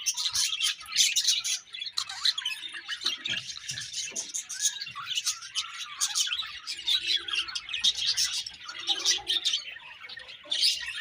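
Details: Budgerigars in a happy colony keep up a constant busy chatter of high chirps, rasping squawks and warbled notes, many birds calling at once with brief louder bursts throughout.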